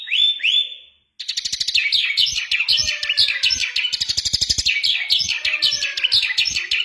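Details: Mashadi (Iranian "jal") lark opens with two rising whistles, then pours out a fast, unbroken stream of high chattering, twittering and buzzy notes with sharp clicks mixed in.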